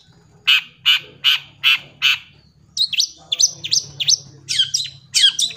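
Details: Long-tailed shrike song for tutoring young birds: five evenly spaced harsh chips, then a run of quick downslurred whistled notes repeated about twice a second, with a faint low hum beneath.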